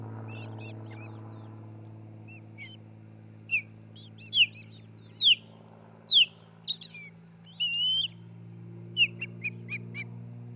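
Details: Nesting osprey pair at Charlo, Montana, recorded by nest camera on 27 June 2018: loud, piercing downslurred whistles spaced irregularly, with clipped high chirps and a few drawn-out whistled notes, over a steady low electrical hum.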